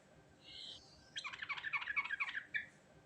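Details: Sooty-headed bulbul giving its natural, chatty rolling song (ngerol style): a faint whistle, then a fast bubbly burst of warbled notes for about a second and a half, ending in one short separate note.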